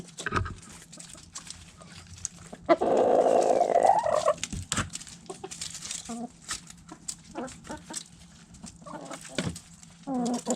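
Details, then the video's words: Backyard chickens at food scraps: a loud sustained crow-like call of about a second and a half, followed by scattered clucks and clicking pecks, and another short loud call at the end. "Backyard Chickens Food Scraps Mukbang Sounds Noises Hens Clucking Roosters Crowing!"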